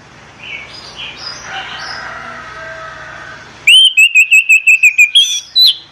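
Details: Orange-headed thrush in the morning, gives a rapid run of about ten loud, clear whistled notes, ending on a higher note, after a few seconds of soft warbling and low hum.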